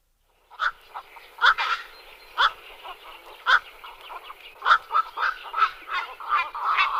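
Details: Black-crowned night herons calling repeatedly, a series of rough, nasal croaks and barks at irregular intervals, several overlapping, becoming denser toward the end.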